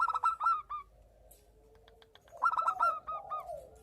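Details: Zebra dove of local stock in breeding condition, answering a female: a fast clipped run of high cooing notes, a near-silent gap, then another burst of bubbling coos fading into soft lower notes.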